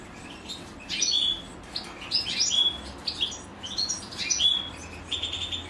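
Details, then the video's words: Chicks of a European goldfinch beg while the female feeds them, giving short bursts of high, sharp chirps about once a second, each ending in a thin whistled note. "أنثى الحسون وهي تطعم فراخها"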